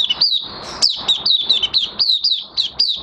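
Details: Caged Oriental white-eye in minor moult, singing brisk, high, sliding chirps roughly four per second, each a quick drop in pitch, clear and unaccompanied.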